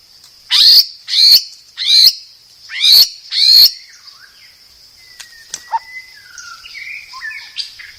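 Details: White-rumped shama song: five high downward-slurred whistled notes spaced under a second apart, then faint scattered whistles and a thin level tone.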